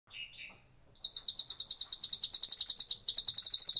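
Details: White-rumped shama in a breeding aviary, its song a fast rattling trill of high notes, about three per second, after a brief soft warble; no other clear sounds.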